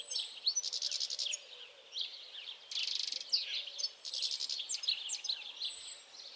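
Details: European goldfinch delivering a busy twittering song of buzzy rattles and sliding chirps in several bursts, with a faint low hum beneath.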